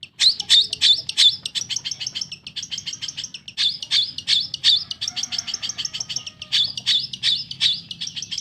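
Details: Pet Long-tailed shrike singing hard, played to coax silent birds into song: a dense, almost continuous stream of high, scratchy chirps repeated nearly three times a second for over eight seconds.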